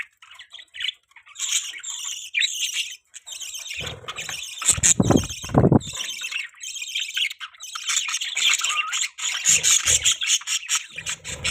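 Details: Budgerigars chattering continuously in the morning, layered squeaky warbles and squawks, with low thumping or rustling noises partway through.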